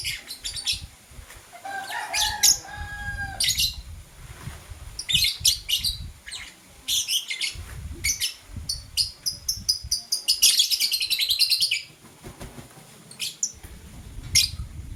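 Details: Blue and green lovebirds chirping in the morning: a long run of harsh, buzzy high squeaks, dense and rapid in the middle, with a lower drawn-out call early and steady background hum.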